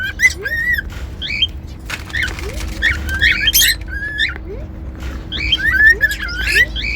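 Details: Pet cockatiel giving short whistled notes and rising slurs mixed with scratchy squawks and chirps, with a faint repeated upward squeak and low steady hum beneath.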